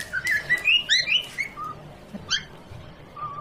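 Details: Pet parrot playing with a baby at home: a quick run of bright, chirping, sliding whistles, then a few softer isolated notes.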